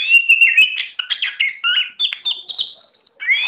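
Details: A tame Oriental magpie-robin delivers rapid, varied song: rich warbled whistles and scratchy chatter in quick succession, a short pause, then a rising whistled phrase.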